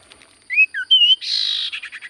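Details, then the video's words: Sirtu cipoh (common iora) giving brief clear slurred whistles, rising then falling, followed by a harsh buzzy hiss and soft chattering notes. "Burung sirtu cipoh gacor suara paling Top cer sirtu cipoh diam langsung nyaut"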